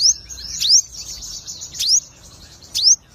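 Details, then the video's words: Crested jay (sogon) of lutino colour, singing steadily: three sharp upward-sweeping whistles about one second apart over a thin, high, buzzy running trill. "burung sogon lutino gacor bermental fighter full ngleper"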